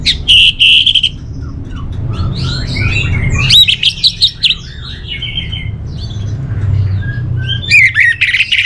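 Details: Orange-headed thrush in a long, rambling warble of varied whistled notes. Sharp, clipped phrases open and close the passage, with softer twittering in between, over a low steady hum.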